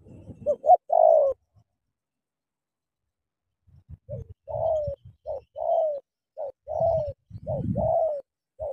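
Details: Spotted dove, Cà Mau 'tú' style decoy bird confronting a wild dove, gives a phrase, pauses several seconds, then a string of mellow coos in short groups with soft low knocks beneath.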